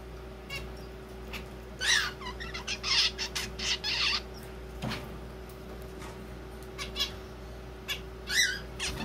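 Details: A young zebra finch chick, thought to be male since it sings, practises its first song in short, scratchy, buzzy bursts of high notes, halting and uneven, almost like talking, with a steady indoor hum behind.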